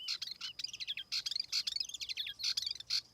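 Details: Tiểu mi laughingthrush singing as a lure bird: a quick, jumbled chatter of high chirps and short whistles, with loud bursts roughly every half second over a faint low background hiss.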